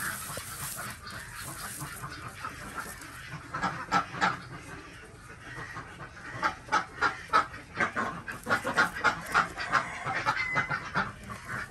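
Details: Desi ducks on a village farm in Andhra Pradesh, India, during morning egg collection: a run of harsh, nasal quacks in quick bursts about every half second, with clatter and farmyard background noise.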